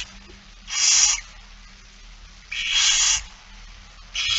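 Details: Barn owl begging during a feeding, 8 September 2019, 16:02: steady, evenly spaced harsh hissing snores, each about half a second long, roughly every two seconds, over a quiet background.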